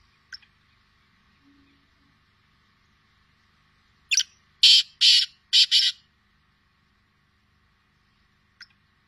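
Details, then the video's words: A Sindhi black francolin calls after a stretch of near silence and faint clicks: a brief sharp note, then four loud, grating, buzzy syllables in two pairs, followed again by quiet. "Kala Teetar ki awaz | Sindhi kala teetar ki awaz"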